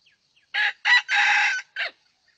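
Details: Red junglefowl crowing during a session luring wild junglefowl with a decoy bird: a loud, clear four-part crow, two short harsh bursts, a long drawn-out middle note, then a brief closing note, against a quiet background.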